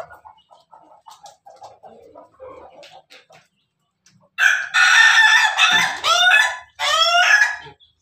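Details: Ayam ketawa or ayam pelung rooster crowing: soft scattered clucks for the first few seconds, a short pause, then a loud, harsh, richly layered crow broken into three stuttering bursts over about three seconds.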